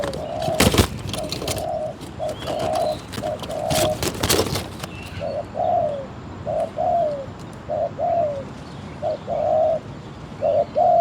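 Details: Spotted dove calling at a decoy trap, low hollow coos repeated in short groups with falling endings; loud rustling and knocking handling noises over the first few seconds, then cooing continues clearly.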